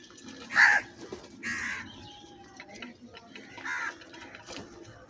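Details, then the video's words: Crows among a large flock calling loudly: three or four harsh, hoarse caws spaced about a second apart, the first the strongest, over a steady low hum of background noise. "Very loud voice of Crow sounds, Large numbers Of Crows Voice | Crow ki Awaz Loudly"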